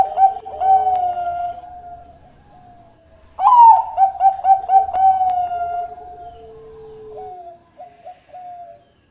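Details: Bangkok-type zebra dove song recorded for training other doves: soft drawn-out coos, then a loud burst of rapid stuttering coos around the middle, settling into a long sustained tone with short closing notes.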